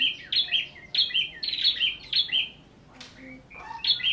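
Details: White-rumped shama, a songbird kept as a hobby in Indonesia, singing loud, rich whistled phrases with quick warbled notes, repeated about every half second, then a sharp click and a short pause before the song resumes.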